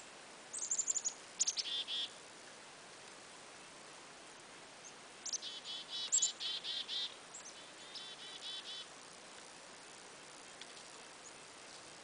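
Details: Black-capped chickadees visiting a deer-hunting spot give thin, high opening notes then quick runs of harsher, buzzy 'dee' notes, in three bouts over soft background hiss.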